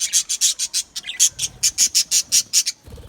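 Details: Australian budgerigar in an aviary colony giving a fast, regular series of rasping high chirps, about six per second, ending abruptly with a soft low knock.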